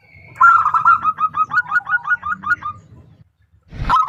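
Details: Female zebra dove calling to a male: a quick run of about thirteen short, mid-pitched cooing notes over nearly three seconds, a faint second caller underneath, then silence and a brief rough burst at the end.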